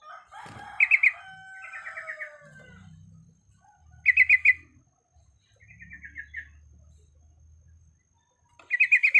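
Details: Female sooty-headed bulbul in breeding condition calling to males. Short bursts of sharp chips alternate with slurred, descending bubbly notes, separated by quiet gaps, with a low hum in the background.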